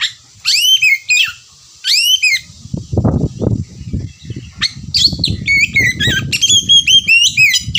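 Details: Oriental magpie-robin singing: paired downslurred whistles, then a busy ngerewek run of chirps and trills while loud low fluttering and rustling noise rumbles beneath.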